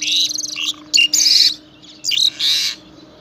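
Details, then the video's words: Morning song of a pied myna at Saifai in Uttar Pradesh, captured by phone: a jumble of scratchy chatter, sharp clicks and brief clear whistles, delivered in uneven bursts of half a second or so. "Pied Myna Bird Amazing Voice"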